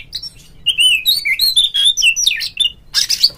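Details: Oriental magpie-robin singing a lure phrase to provoke a kept rival: a rapid flowing string of sweet whistled notes rising and falling, ending with a harsher, scratchy burst.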